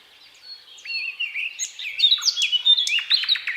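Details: Powerful, varied thrush nightingale song building from soft whistled notes into louder warbled phrases and a closing series of sharp clicking strokes.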